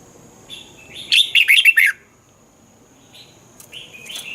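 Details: Red-whiskered bulbul from Thailand, a song for training or rousing caged birds: one bright burst of five quick warbled notes, rising then falling, followed by quiet and a soft trailing phrase at the end.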